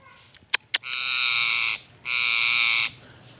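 A rose-ringed parakeet speaks two drawn-out, raspy, high-pitched syllables, each under a second long, after two sharp clicks.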